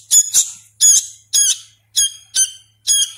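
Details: Nestling sooty-headed bulbul fed by hand and still learning sounds, giving a few separate buzzy, nasal squeaks, some doubled, spaced roughly every half second.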